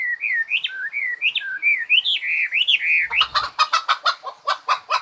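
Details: A bird gives looping whistled notes that rise and fall smoothly for three seconds, then switches to a series of harsh, buzzy chattering bursts roughly every half second.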